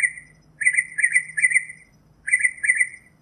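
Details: Northern mockingbird singing: a rapid run of harsh, slightly raspy chirped notes in a mid-high register, a brief pause, then the same choppy phrase repeated; faint low hum underneath.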